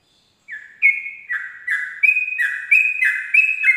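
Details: Sooty-headed bulbul singing its rapid 'ropel' style song at dawn, a tutor sound for trained birds; after a short silence, clear whistled two-note phrases alternate high and low, about three per second, without background noise.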